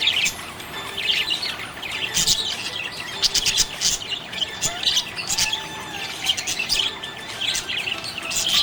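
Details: Happy budgie giving a busy stream of high chirps, rasping clicks and warbled notes that swell into louder scratchy bursts near two, three and five seconds, keeping an unbroken chattering flow throughout.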